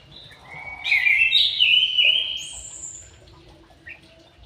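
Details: White-rumped shama in an aviary giving a bright, rolling whistled phrase that swells then fades, with a thin high whistle after it and a short note near the end.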